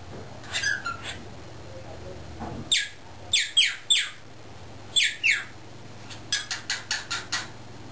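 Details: Young male pet cockatiel, under a year old and learning to talk, kept caged with other cockatiels while people work in a driveway; short bright chirps, then a quick run of six rising notes, with low steady hum behind.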